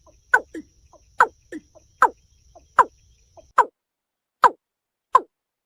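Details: Watercock producing abrupt downward-sliding clucks with faint follow-up notes. The last three come cleanly and a little further apart.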